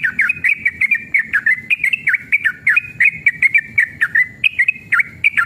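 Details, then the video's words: Male sooty-headed bulbul in full, agitated rolling song, used as a lure to make other bulbuls sing: fast chain of bubbly, liquid whistled notes, each dipping and rising, delivered about three per second without pause. "trucukan gacor EMOSI ROPEL PANJANG pancingan trucukan agar bunyi"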